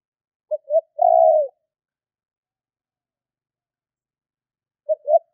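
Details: Spotted dove call for luring wild doves: a short low coo, a second brief note, then a long, slightly falling coo, with a partial phrase returning at the end; no other sounds.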